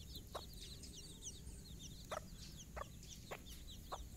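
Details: A hen raising her own chicks calls them on their first morning outing: a few short clucks spaced half a second or more apart, faint chick peeps above, over heavy low background noise.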